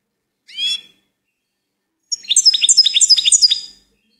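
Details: Goldfinch: one short rising call note, a pause, then a bright, rapid, evenly pulsed series of high chirps lasting about a second and a half.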